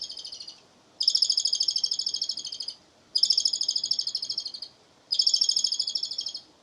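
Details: An Asian pied starling gives its song said to resemble human laughter, as repeated bouts of rapid high-pitched pulsed chatter, each under two seconds, with short silences between.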